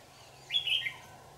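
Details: Red-whiskered bulbul, 'lưng tôm' type, during trapping in Dak Lak on 4 January 2018: one brief, bright whistled phrase with quick up-and-down notes, lasting under half a second, against a low, constant hum.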